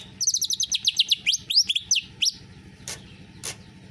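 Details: Greater green leafbird singing canary-style material: a rapid run of about fifteen high, sharp rising chirps, then scattered slurred notes and two short bursts of noisy rasps, with a low hum underneath.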